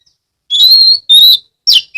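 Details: Oriental magpie-robin, known locally as kacer, singing loudly as a lure to prompt other magpie-robins to sing, from Kebumen, Central Java; two long clear whistles rising slightly, then a short falling note.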